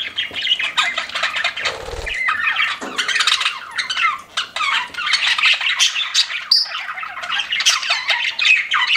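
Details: Budgies kept as pets chatter in a dense mix of squeaky warbles, chirps and squawks, with one brief low buzzing sound early on.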